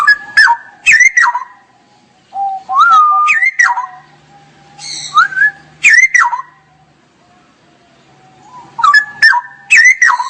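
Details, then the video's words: Straw-headed bulbul in full song, loud bubbling whistled phrases of rising and falling slurred notes, delivered in bursts every few seconds over a soft steady low tone. "Kicau Burung Cucak Rowo Gacor"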